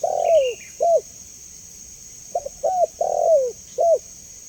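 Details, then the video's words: A clear-voiced spotted dove, presented as a lure sound, delivers a long falling coo, a short hoot, then a stuttering double note, another long falling coo and a final hoot, with a faint high chirp and steady whine. "Suara Jernih Burung Tekukur Paling Disukai Dan Cepat Direspon Tekukur"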